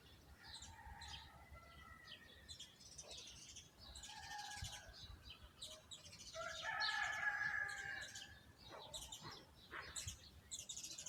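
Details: Garden birds chirping among plants and trees, several overlapping voices: short high chirps and a brighter whistled phrase in the middle, with steady faint background noise.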